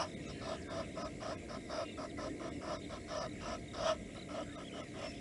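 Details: Blacksmith lapwing at Nkorho, Africa, 22 September 2022, chasing ducks into a lake. A rapid series of short harsh notes repeats about four times a second over a steady background hiss, with one louder note near the end.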